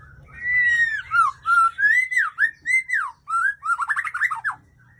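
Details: White-rumped shama of the Aceh type, described as a superior breeding female, singing a string of clear, slurred whistled notes, rising and falling, then a quicker run of short choppy notes.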